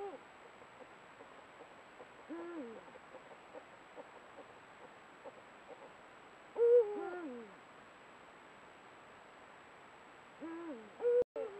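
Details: Breeding pair of Eurasian eagle-owls at a camera-trap site, trading guttural contact calls during courtship. Three faint to moderate drooping calls spread over twelve seconds, with one louder call in the middle and a sharp click near the end.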